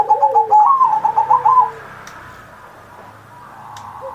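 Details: Zebra dove (perkutut) in lively song on Indonesia's 79th Independence Day, used to prompt untrained pet doves; one quick phrase of pulsed, warbling coos, then near quiet with faint clicks.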